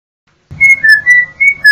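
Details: Yellow-backed Oriole (Icterus chrysater) song: five clear whistled notes, alternating slightly higher and lower, each held briefly with short gaps, in a quiet setting.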